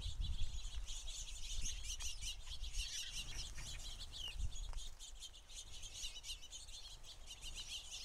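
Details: A large flock of house sparrows at a bird feeder, giving dense, overlapping chirps that run on without pause; a low rumble underneath.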